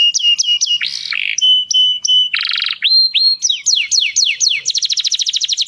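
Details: Canary, given as a Dutch canary, singing to prepare females for mating: repeated clipped whistles, a coarse buzzy roll, a long flat tone, then swooping downslurred notes leading into a fast trill at the end.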